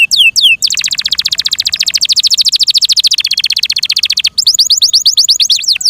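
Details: Yorkshire canary in care singing a long, even, rapid rolling trill of bright repeated notes, preceded and followed by sharp descending whistled sweeps.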